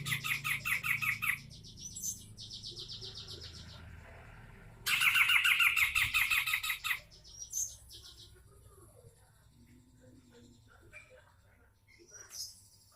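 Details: Sumatran grey-cheeked bulbul singing vigorously: dense, scratchy, rapid twittering bursts lasting one to two seconds, separated by quieter pauses with faint scattered chirps.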